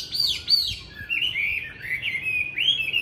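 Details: Chinese hwamei, a tame caged fighting bird in Hanoi, Vietnam, sings clear looping whistles, first two high arched notes, then a run of rolling, wavering phrases that rise and fall.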